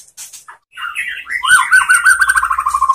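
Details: White-rumped shama song played as a master recording to train other shamas to sing. Faint high notes open, followed by warbled mid-pitched phrases, then a fast run of evenly repeated, slightly falling notes through the final second and a half.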